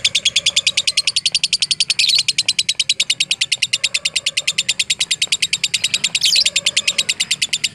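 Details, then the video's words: Lovebird in fighter style, chattering in a swift, steady series of high, clipped notes with two sudden noisy squeals partway through. Faint, low, wavering whistles come and go underneath. "MASTERAN LOVE BIRD FIGHTER"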